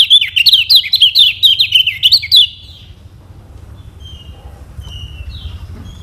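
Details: Lombok lemon-bellied white-eye song meant to teach caged birds to sing: a lively high warble of rapid looping notes for two and a half seconds, then near silence with faint thin notes.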